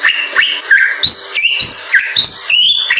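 Bali myna singing loud, ringing whistles that swoop and rise, mixed with harsh chattering notes, several phrases in quick succession.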